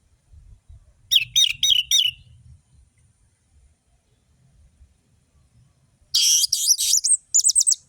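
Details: Energetic orange-headed thrush song used as a lure for birds reluctant to sing: a fast run of bright, high whistled notes, then a pause, then a dense, buzzy burst ending in quick looping whistles.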